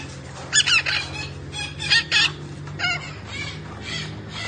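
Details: Green parrot giving harsh, broad squawks in short bursts, two loud double calls near the start followed by softer repeated squawks, over a steady low hum.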